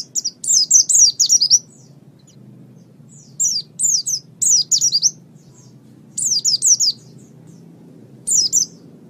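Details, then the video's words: White-eye song meant for training kept birds: bursts of three to five sharp, high, down-slurred notes, each burst separated by a silent gap of one to two seconds, over a low steady hum. "Masteran Terbaik Pleci Mata Putih"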